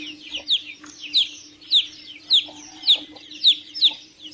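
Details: Chicks uttering loud high peeps that drop in pitch, spaced about every half second amid softer overlapping calls and a low steady hum.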